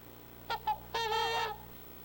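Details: Trumpeter swan contact calls, used by parents to keep the family together: two short nasal toots, then a longer, loud, brassy honk, all within about a second and a half, over a quiet background.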